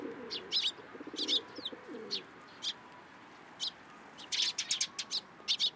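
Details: At a Tenmangu shrine, sparrows come to a hand to be fed on 14 April 2023; scattered sharp chirps in small clusters with pauses between, and a low cooing-like sound early on.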